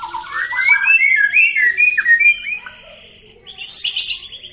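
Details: Kept white-rumped shama provoked to anger, a method said to raise its emotion and train its fighting mentality: rising, looping whistled phrases in quick succession, then a pause and a burst of very high, sharp notes.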